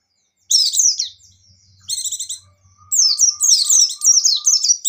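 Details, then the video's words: High white-eye song, buxtoni type, in 'ngecir' style: a tangled burst of high slurred notes, then a buzzy trill, then a long rapid stream of zigzag whistled notes, over a soft low hum. "Suara Burung Pleci Gacor + Pleci Ngecir"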